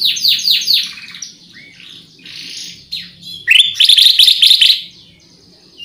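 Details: Black-crested bulbul (kutilang emas) song used as a lure: a run of rapid high chirps and slurred notes, then a loud bright trilled burst of repeated notes near the end, fading into softer chatter.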